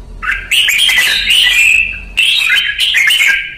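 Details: Caged red-whiskered bulbul, trained as a songbird, gives two loud, rich warbling phrases with sliding whistled notes, the second starting after a brief break.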